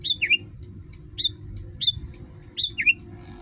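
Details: ['Sooty-headed bulbul tutor song to set other bulbuls singing. Paired bright whistles, the first rising and the second dipping then lifting, repeat about every 0.7 seconds over a low hum.']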